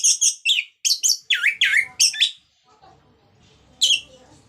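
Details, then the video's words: Vigorous song of an orange-headed thrush in the 'ngeplong' manner, aimed at getting other orange-headed thrushes singing: a rapid series of loud, sweeping, downslurred notes in pairs, a short lull, then one more ringing phrase. "Pancingan Burung Anis merah Agar Cpt Ngeplong Gacor bunyi"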